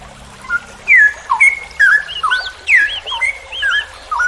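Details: Cucak rowo, or straw-headed bulbul, sings a long ropel phrase for a tutoring recording. Loud, rich whistles sweep down and run together into a bubbling warble, mixed with looping higher notes.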